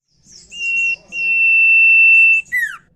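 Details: Common iora singing in the nyiul style: short high twittering notes, then a long, steady, pure whistle held for over a second, ending in a quick down-slurred note.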